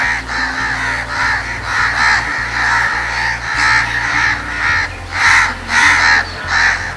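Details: Harsh scolding caws from a crow mob responding to danger, overlapping in an uneven run that grows louder toward the end, set against background music.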